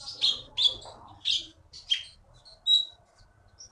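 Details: Caged olive-backed sunbird, a champion competition bird originally taken from the forest of Bangka, Indonesia, singing: sharp high chirps and short trills repeated at uneven intervals, some thin whistled notes at the end.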